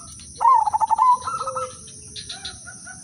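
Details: A single zebra dove phrase from an Udanmas Silver lure singer, kept to spur other doves into song. A sharp opening note, a fast pulsing run of about six beats, then a softer trailing coo fading out. A faint high whine sits underneath.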